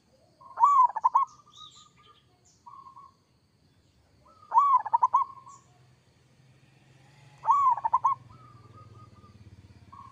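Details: Kerot-style singing from a local zebra dove: three phrases about three and a half seconds apart, each a loud cluster of rapid stuttered coos followed by fainter level notes, over a low background hum.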